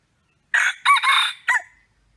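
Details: A wild red junglefowl rooster crows very loudly before a fight with another rooster. The brisk crow has four harsh, rasping syllables in just over a second and ends abruptly on a short clipped note.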